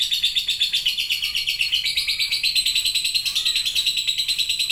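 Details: Lovebird giving a long chattering song, locally called 'ngekek': a dense, continuous stream of rapid, harsh high chatter, pulsing about one and a half times per second, unbroken throughout.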